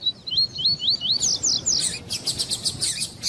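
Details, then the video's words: Double-collared seedeater in tuí-tuí style, male and female calling to warm up a male: an even series of wavy whistles, about five per second, turning into buzzy notes and rapid rattling chips. "ESQUENTAR COLEIRO TUÍ TUÍ COM COLEIRO TUÍ-TUÍ E FÊMEA CHAMANDO PARA ESQUENTAR COLEIRO TUÍ-TUÍ"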